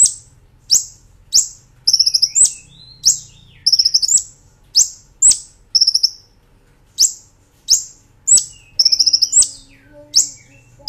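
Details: Brown-throated sunbird in a master recording for training cage birds, nembak ngerol style: very high sharp upslurs about every half second, broken by short buzzy rattles and thin whistles. A faint low hum runs underneath.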